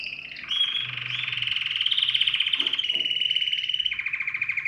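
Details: Domestic canary singing, an excited bird used to stimulate other birds to sing. After a quiet start comes a sustained, bright, buzzy rolling trill, unbroken for about four seconds, with a slight shift in tone near the end.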